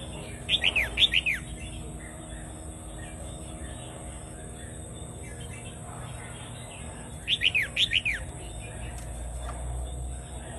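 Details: Doubled song of a Vietnamese Red-whiskered bulbul, meant to teach young birds and excite other birds; clear bright whistled phrases of four or five rapid downward notes, repeated after a quiet gap of about seven seconds, soft hiss behind.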